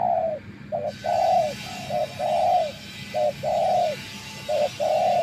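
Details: Spotted dove used as a decoy bird, tamed after many days living in the wild, giving repeated low cooing phrases, a short coo followed by a longer drawn-out one, roughly every second, with steady background hiss.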